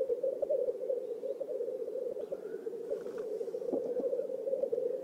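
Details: Black grouse courtship parade in a swamp at Oulu, Finland, on 5 May 2022: a thick, continuous, low bubbling chorus, joined partway through by a faint hoarse hiss and a few soft clicks.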